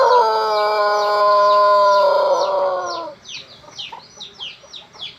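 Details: Pelung chicken's sweet crow: a sustained, rich harmonic note lasting about three seconds with a slight downward slide, followed by high, quick, descending chirps from small birds.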